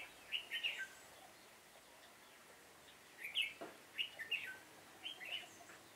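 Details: Bulbul trapping with a decoy red-whiskered bulbul on 7 September 2018. Lively whistled fighting-song bursts, two main groups of quick notes, with a brief low thud in between.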